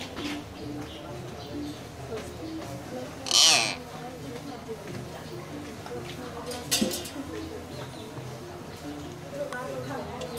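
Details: A talking common hill myna, said to speak Khmer, gives low, speech-like murmurs copying human words, broken by two sharp, loud squawking bursts over a faint steady hum.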